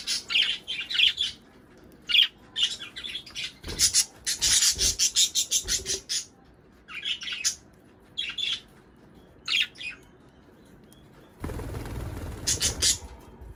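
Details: Budgerigar song meant to stimulate breeding: busy runs of high chirps and scratchy warbles, sometimes rapid and sometimes broken by pauses, ending in a harsher burst of noise.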